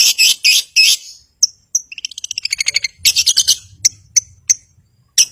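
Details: Long-tailed shrike in full, lively song, used to provoke rivals and silent birds into singing: harsh scratchy bursts, thin high whistles and a fast rising series of clipped notes, then more rasping phrases and isolated sharp notes.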